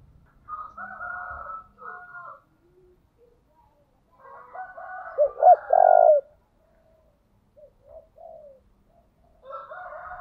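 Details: Decoy spotted dove calling. Soft, low cooing phrases at the start lead to a loud, swelling hollow coo in the middle, followed by quieter cooing notes.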